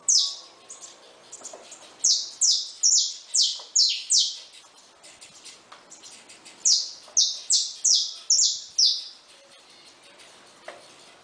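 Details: Cage-kept saffron finches, chicks freshly hatched. Two phrases of about six shrill descending chirps each, delivered rapidly, separated by a few seconds of faint background twitters.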